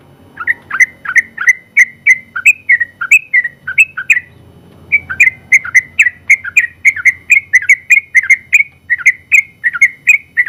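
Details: Sooty-headed bulbul, a general-class contest champion, in long rapid song for training other birds. Chains of quick, ringing whistles run almost nonstop, broken by one brief pause near the middle.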